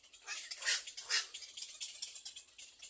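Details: Baby little egret at the nest, biting its mother to be fed: two loud, harsh, hissing squawks close together, surrounded by softer scratchy chattering.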